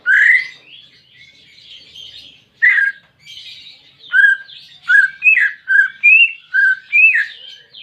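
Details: Pet greater green leafbird singing in a recording aimed at stimulating a bird that will not sing: loud warbled phrases with short pauses, then a rapid series of slurred whistled notes rising and dropping in pitch.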